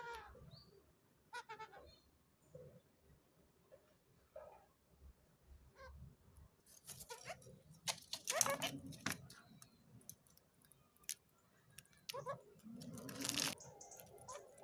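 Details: A hand-raised, tame pet kakariki (red-fronted parakeet) just starting to talk chatters in short, scratchy, speech-like phrases imitating its owner's words, such as "coucou pookie", "beau kiwi" and "peekaboo", plus gibberish, with louder harsh bursts and rustling in between.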